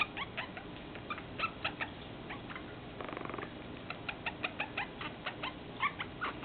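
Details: Pet Meyer's parrot showing affection, making scattered clicks and brief squeaky chirps, with a short buzzy rattling stretch partway through.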